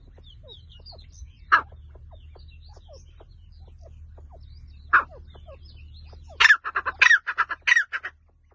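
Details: Partridge in a forest, two isolated harsh notes over a quiet low hum and faint chirping birds, then a sudden rapid burst of loud, rasping chattering calls near the end before falling quiet.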